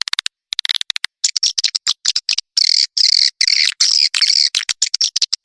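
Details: Swiftlet call and roost sound played by swiftlet farmers in Indonesia: dense, fast, buzzy chattering twitters with clicking chips, nearly continuous, bright and high-pitched.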